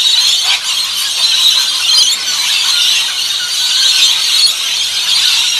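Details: Backyard flock of rainbow lorikeets at feeding time in Australia, a continuous harsh, high screeching chorus with overlapping squeals and chatter throughout, never dropping away.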